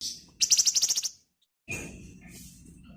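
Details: Flamboyan bird giving a fast, high, pulsing trill of about ten notes that stops abruptly. A short silence follows, then softer high chirps over low background noise.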